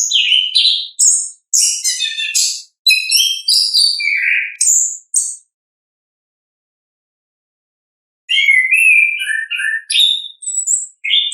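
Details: Orange-headed thrush in ngeplong-style song, natural voice: fast, tumbling phrases of high chirps and whistled notes for about five seconds, a three-second silence, then softer descending whistled phrases resume.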